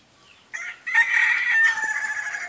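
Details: Crowing ayam ketawa rooster: after a short rough start, a sustained bright crow swells and carries on steadily to the end.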